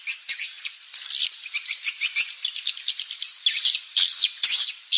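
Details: Lure recording of swiftlet calling and roosting sounds, used in Indonesia to attract the birds to roost: chattering high buzzes and twitters in irregular bursts, roughly two per second, with brief louder buzzy notes.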